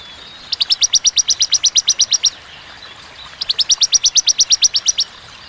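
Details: Two fast strings of high, crisp chips from a bar-winged prinia in 'tembakan' style, each string about two seconds long and about fifteen notes, separated by a brief pause.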